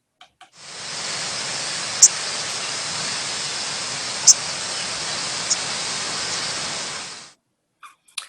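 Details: Nocturnal autumn-migration flight call of a common yellowthroat, a small warbler, passing overhead at night: two very quick, thin, high 'sip' notes about two seconds apart, a fainter third, over a steady rushing hiss.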